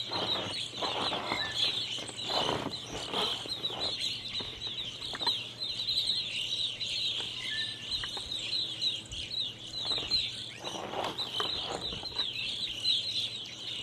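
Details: A large flock of evening grosbeaks perched in maple trees in a yard keeps up a constant, overlapping chatter of loud, high, slightly burry chirps, with a faint low hum underneath.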